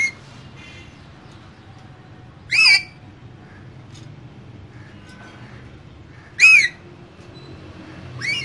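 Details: Caged pair of green parrots: two loud, short, harsh squawks about four seconds apart, separated by quiet stretches with a low background hum.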